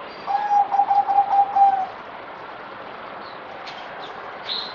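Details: On 17 April 2020, the fourth day of its deworming, a kept zebra dove (merbok) delivers one quick stammering coo phrase of even pitch, followed by quiet and a few faint high chirps from other birds.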